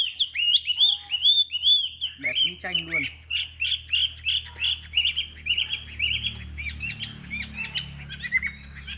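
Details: Chinese hwamei in captivity, singing during a fighting display: a rich run of looping whistled phrases repeated rapidly and steadily, briefly interrupted by a low throaty sound, with a faint hum behind.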